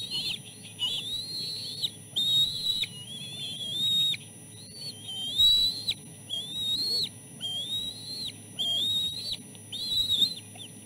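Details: Three nestling chicks calling through a fish feeding; the middle chick steals the end of a fish. A series of eight wavering high whistles, each ending in a quick downward flick, with low rumbling background.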